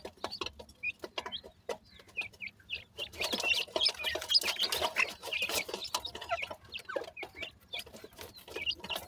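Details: Dakhni teetar francolin chicks playing and crossing, giving many short, high chirping peeps in quick irregular succession, swelling into a dense chattering burst midway and then thinning out again, with soft clucking notes underneath.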